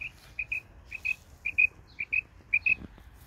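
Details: Female Isabelle-coloured quail singing in a garden: a steady string of short, high, chirping double notes, each pair clipped and bright, about six pairs in three seconds, over faint low background rumble.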